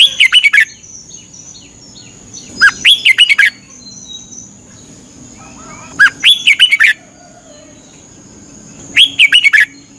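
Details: Morning training song of a caged Red-whiskered bulbul in Thailand. Four cheerful, warbling phrases of quick whistled notes arrive about every three seconds, separated by quiet gaps with faint chirps and a constant high whine.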